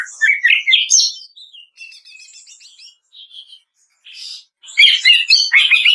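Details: Cucak ijo or greater green leafbird, kretekan song for bird training: loud rising chirps open, followed by soft scratchy chatter and scattered notes, then a final burst of dense, rapid high warbling.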